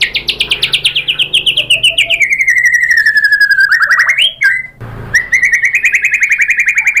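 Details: Female white-rumped shama calling a male, used as a lure: a long fast trill slowly sliding down in pitch, a brief flourish and pause, then the pulsing trill resumes, gently rising.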